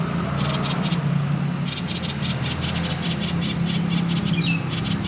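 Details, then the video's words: Common iora in 'konslet' song, used to lure other birds into singing: bursts of fast, dry, buzzy ticking notes separated by a pause of about a second, one brief thin whistle near the end, over a constant low droning hum. "Suara burung SIRTU/CIPOW konslet ( cocok untuk pancingan bunyi/masteran )"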